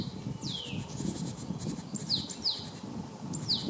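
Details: Male Great Tit at Jarun, Zagreb, Croatia, March 2015: a long downward-sliding whistle, then a few short, high, sharply falling notes. Low background rumble throughout.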